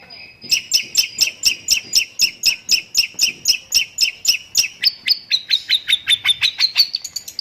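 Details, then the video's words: Long-tailed shrike singing lovebird-learned material in rapid 'tembakan' style. Crisp doubled chips repeat roughly twice a second, then the notes quicken and slide upward into a higher, thinner run at the end. "BURUNG CENDET ISIAN LOVEBIRD - MASTERAN BURUNG CENDET TEMBAKAN"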